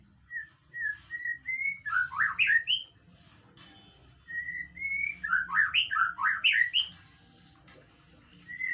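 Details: White-rumped shama song used as a training recording to draw a reply, with slow whistled introductory notes building into a fast cascade of loud, swooping warbles, given twice, plus a brief hiss and faint low hum.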